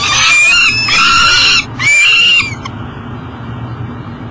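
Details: Peregrine falcon bringing breakfast to a nest box at Elk River, Minnesota, July 2012 morning: three loud grating wails in quick succession, then quieter background hum.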